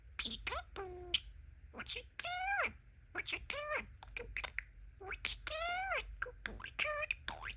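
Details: Pet male budgerigar, very talkative, imitating speech in chattering phrases, mixed with sharp clicks and bright warbled whistles rising and falling, several short bursts with brief pauses.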